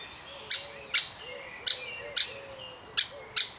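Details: Woodpecker chick from a family, being fed; six loud, sharp, high chirps in uneven pairs, with faint low warbling underneath.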